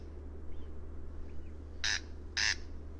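A corn crake gives two dry, rasping notes about half a second apart, the classic crex-crex, over a steady low hum.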